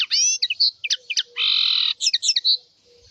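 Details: House finch singing, a short warbled phrase of varied slurred notes, a harsh buzzy note held for about half a second, and then quick bright chirps ending in a clear whistle.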